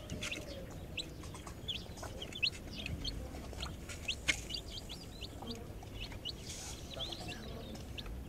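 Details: Hen with chicks foraging in a backyard garden: dense chorus of brief, sharp, high peeps, irregular and overlapping, with occasional lower hen notes and a steady rural background.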